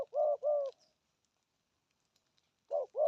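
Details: Spotted dove 'thổ âm' cooing of the 'gù thúc' kind: two smooth low coos at the start, a long silent gap, then two more coos resuming at the end.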